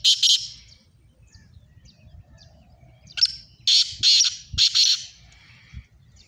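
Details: Two Sindhi black francolins in a contest: one harsh burst opens, then after a pause a full phrase of a sharp lead note and three buzzy grating bursts, with low rumbling noise.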